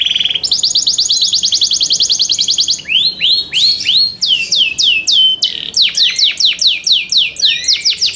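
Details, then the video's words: Yorkshire canary song: a fast, high trill that holds steady, then gives way to a string of bright, upward-sweeping whistled notes, repeated several times a second; a kept canary whose song is meant for singing competitions. "YORKSHIRE CANARIES COMPLETE SOUND MATERIAL"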